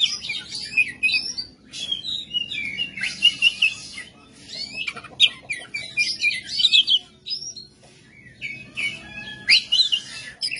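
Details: Oriental magpie-robin, a kept songbird, singing a rough, varied 'kasar' style song: bursts of harsh chattering mixed with short whistled phrases, with brief pauses between outbursts.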